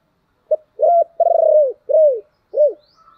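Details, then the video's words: Spotted dove calling, a lure recording for wild doves: one full phrase of a short note, a coo, a long rolling coo bending downward, then two separate falling coos; faint high chirps near the end. "chim cu gáy"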